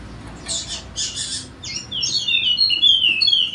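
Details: Golden-headed Wallacean white-eye from Sumbawa, West Nusa Tenggara, singing loudly to prompt lazy birds to sing. Two hissing bursts are followed by quick, high, thin whistled notes that slide downward and repeat rapidly.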